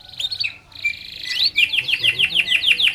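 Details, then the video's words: Canary singing as tutor and lure for other canaries: a sustained high trill, a brief pause, another trill, then crisp descending whistled sweeps repeated about six times a second. "kenari gacor panjang SUARA BURUNG KENARI ampuh buat MASTERAN KENARI & PANCINGAN KENARI"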